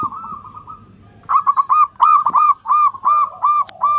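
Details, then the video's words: Local Indonesian zebra dove singing vigorously, used as a lure to prompt reluctant doves to sing; a soft trill gives way to loud, rhythmic, rolling coos repeated about three times a second. "PERKUTUT LOKAL GACOR, pancingan kutut susah bunyi"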